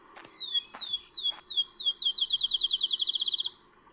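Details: Field Sparrow perched on an elm branch beside the Ohio & Erie Canal towpath in Ohio, April 2020: slow, high, down-slurred whistles speeding into a fast, even bouncing-ball trill, with a few faint knocks early on.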